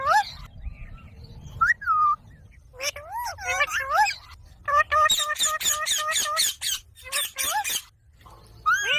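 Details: Green pet parrot talking, with a mix of swooping voice-like syllables, quick runs of rapid repeated notes, and a few whistled calls, in a quiet indoor setting.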